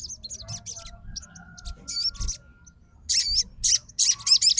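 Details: Sogon song in response to another sogon: scattered high chirps at first, then loud, twisting whistled notes in quick clusters toward the end, over a faint steady tone and low noise.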